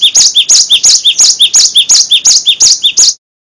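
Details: Gelatik batu, the Cinereous tit, singing a full gacor master song used to train other songbirds. A steady, rapid series of bright, high two-note phrases runs about three per second for three seconds, then stops.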